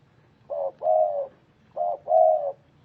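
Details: Spotted dove calling with two low, hollow cooing phrases, each a short coo followed by a longer drawn-out coo, the pair repeated after a brief pause.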